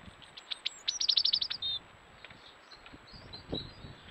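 A European robin sings one high, thin phrase: a few scattered notes, a quick run of about eight rapid notes, then a brief sustained whistle, with faint notes afterward.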